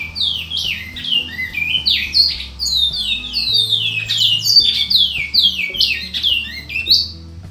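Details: Song of a Bicudo, Large-billed Seed-Finch: fast, varied chain of clear descending whistles, some with twittering edges, repeated roughly twice a second, over soft low background tones.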